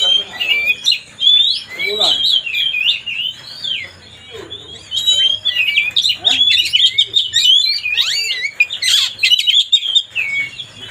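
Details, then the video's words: Oriental magpie-robin pouring out song meant to provoke a rival into agitation: long, fast sequences of varied whistles, trills and chattering notes, with a short pause near four seconds before an intense, dense second burst. "mancing suara kacer biar emosi.."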